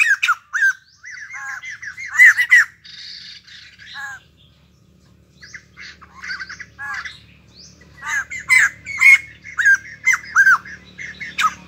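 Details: White-crested laughingthrush, a newly acquired wild-caught cage bird kept for its singing: harsh, squawky chattering notes in loud bursts, a quieter lull in the middle, then a dense run of rasping, cackling calls.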